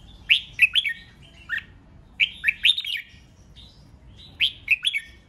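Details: Red-whiskered bulbul singing competitively to provoke rivals, giving three bursts of loud, liquid, slurred whistles, each a quick group of three or four chirping notes separated by short pauses.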